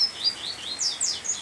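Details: Male double-collared seedeater singing in heavy summer rain during the breeding season, facing a female on a balcony overlooking forest: a quick 'tui tui' run of high, sweet slurred whistles, about six notes in under two seconds, some rising and some falling.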